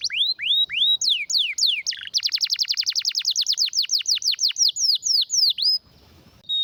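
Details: Canary with a rare, powerful song for teaching other canaries: slurred descending whistles, a fast rattle, a long run of sharp rising sweeps, then a short quiet gap and a final pure whistle.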